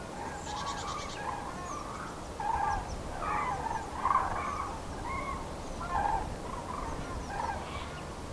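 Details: Common cranes on spring migration in Nouvelle-Aquitaine, central France, 8 February 2017: many overlapping rolling trumpet calls from a flock, rising and falling in loose bursts, with a faint higher chatter near the start.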